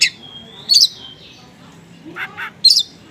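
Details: Oriental magpie-robin konslet song with small-bird material, meant to prompt replies from other magpie-robins: a sustained high whistle, then scratchy bursts spaced apart with quiet gaps.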